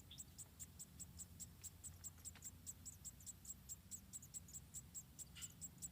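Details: Nestling munias, roughly four, begging at a wild nest in Indonesia while the mother feeds them one by one; thin piercing chirps repeat about twice a second over low hum.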